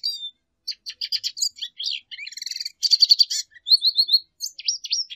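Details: Lesser goldfinch song: a rapid, varied jumble of high twittering notes, buzzy trills and slurred whistles, including a quick run of bright repeated chips and a series of descending whistled phrases, with short pauses between bursts.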